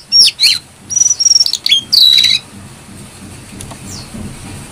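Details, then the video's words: A brown-throated sunbird sings clearly: a quick two-second burst of sharp, high chirps and thin whistled notes, then falls quiet over a soft background hum; the song is used as a lure and tutor recording for sunbirds. "Jongkangan gacor"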